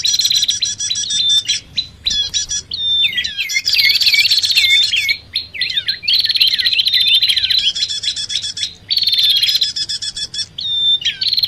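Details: Lure recording combining bar-winged prinia and sirtu/cipoh sounds to attract both: a dense stream of high, rapid chirps and rising, upswept notes with brief clear whistles, overlapped by other small birds' calls.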